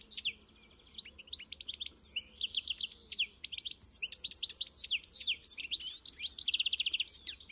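A European goldfinch sings a fast, continuous, high tinkling twitter, mixing liquid chirps with short buzzy trills and rapid repeated notes.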